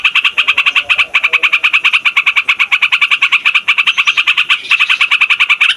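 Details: Noisy, rolling Yellow-vented Bulbul song meant for luring wild birds and prompting young birds to sing: an unbroken stream of fast, raspy repeated notes with a slightly brighter burst near the end.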